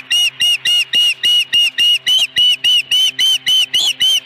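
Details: Osprey with a live fish at the nest, 26 May 2020, 4:58 PM: very regular, clear whistled chirps, about three each second, each note short and slightly arched.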